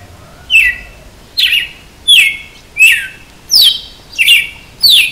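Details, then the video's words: Red-cowled cardinal singing açoite style, a loud series of seven bright whistled notes, each dropping steeply in pitch, delivered at a brisk, slightly uneven pace of roughly one every three-quarters of a second. "Galo de campina cantando de açoite"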